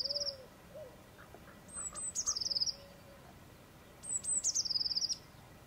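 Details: A Eurasian blue tit sings two phrases about two seconds apart. Each has high thin lead-in notes and then a fast, bright, slightly falling trill. Faint low whistled notes are heard between phrases.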